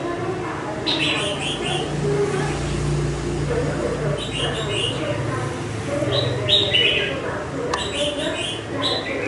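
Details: Caged red-whiskered bulbul, five months in its cage, giving a series of short chirpy warbling phrases spaced a couple of seconds apart, with a rumbling engine-like drone underneath.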